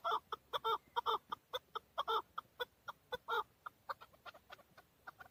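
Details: Male chukar partridge, described as excited, recorded in Darvoz, Tajikistan in 2020: loud, hoarse chuk notes delivered in uneven bursts, then fading into softer, spaced clucks toward the end.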